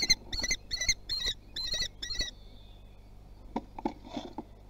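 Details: Young common kestrels testing their wings, Théding, France, 24 June 2020; six shrill, rapid kee notes in a burst, followed by soft thumps and scraping movement sounds.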